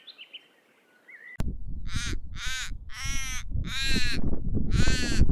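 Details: Common raven calling with five rough, hoarse caws in quick succession over a loud low rumble of wind, after faint bird chirps at the start.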